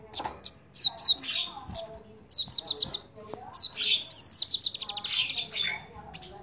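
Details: Crimson sunbird song serving as a lure to make other birds sing: sharp twittering phrases and high slurred notes, building into a long fast trill of repeated buzzy notes before fading.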